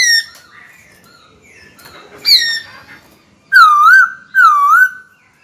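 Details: Caged white-cheeked laughingthrush calling a rival to fight: soft scattered notes and a short squeak, followed by two strong, rippling whistles that waver up and down, each about half a second.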